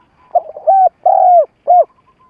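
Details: Decoy spotted dove calling to provoke wild doves for trapping: a broken, stammering run of short notes, then two steady low coos and a final short one, the middle coo longest and falling.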